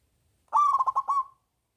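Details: A single song phrase from a local zebra dove prized for its big voice, played to coax silent doves to sing: a bright start, then five or six rapid bubbling coos that trail off into a short held note.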